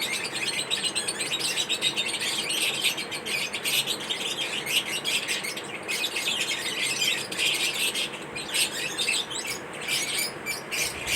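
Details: Lovebirds chattering during mating ritual behaviour, a continuous stream of sharp, high chirps and short squawks tumbling over one another with no pause, steady hiss beneath.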